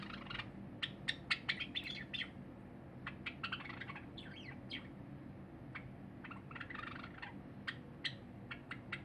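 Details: Cinnamon Java sparrow, a pet bird, singing on 23 January 2021: a loose series of sharp clicking notes and short chattering bursts scattered through the clip, with a few brief warbled sweeps in the middle, over a low steady background hum.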